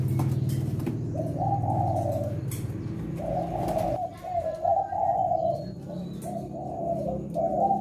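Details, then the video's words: Spotted dove singing the kuk 6 song style in Indonesia, Leopard type and in active voice: drawn-out, wavering hollow coos in phrases separated by short pauses, with a strong low-pitched hum throughout. "Tekukur Leopard Kuk 6 Gacor"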